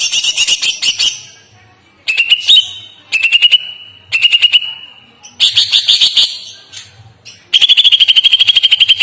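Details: Greater green leafbird (cucak ijo) delivering a long, smooth, melodious song used as a master recording: repeated rapid trill phrases of about one second, buzzy and rhythmic, ending in a sustained fast-pulsed run.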